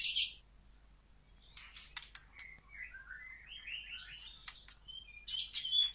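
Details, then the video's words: Murai batu, the white-rumped shama, heard faintly: a short burst of high notes, then a chain of sliding whistled notes climbing and falling, with some clicking sounds and low hum underneath. "Murai Batu LANGSUNG GACOR dan NGEPLONG"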